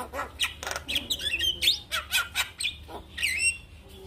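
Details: Javan myna in a morning lure recording for waking a reluctant singer: busy mix of squeaky whistles, rasping notes and chirps in steady bursts about twice a second.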